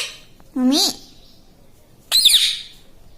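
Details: Mimicking pet parrot, said to speak "mummy" and "mitthu": one low, rising-falling voice-like syllable, a pause, then a harsh, raspy squawk about a second and a half later.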